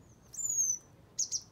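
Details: Grey Wagtail parents on a farm in County Kilkenny, Ireland, scold a person near the nest as the last chick fledges: a thin, very high drawn-out note, then two sharp, quick high calls a moment later.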